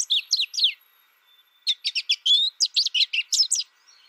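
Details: Young American goldfinch raised in isolation through its first year, learning song from a recording without contact with other birds: quick bursts of high, twittering chirps and short warbled notes, a pause, then a longer run of rapid varied chirps.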